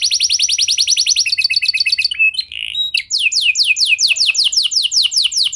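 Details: Canary singing as a lure to set other canaries off: a fast high trill, a shift to quicker clipped notes and a short buzzy phrase, then a series of falling whistled sweeps repeated several times per second.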